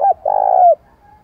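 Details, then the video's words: Calling coo of a spotted dove, used for training decoy birds to coo quickly: one short clipped note, a brief pause, then a long, even, mellow coo that drops at its end. "Tiếng Chim Cu gáy Gọi Giọng Sát Bổi - Kích Bổi Tập Chim Mồi Nhanh Gáy"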